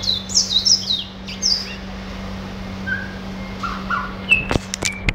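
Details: Pet red siskin singing indoors: quick high twittering and sliding notes through the first second and a half, then sparse lower chirps, a few sharp clicks near the end, over a steady low electrical hum.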